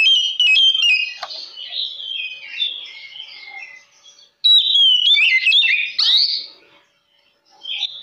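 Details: Energetic oriental magpie-robin song played as a lure to make other magpie-robins answer; two loud bursts of varied whistled and warbled phrases mixed with sharp chips, separated by short pauses, ending in a single clear whistle.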